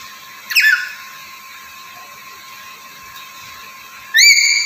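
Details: Black-capped lory, a bird said to be very vocal and good at talking: a brief squeal early, then a loud, rising, harmonic-rich screech near the end over a steady high background hum.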